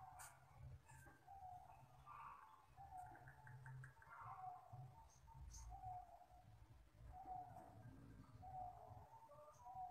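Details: Wild local zebra dove (Geopelia striata) cooing a long, clear "crystal" song used as a lure sound: soft, mid-pitched phrases of quick stuttering notes, repeated every second or two over a steady low rumble.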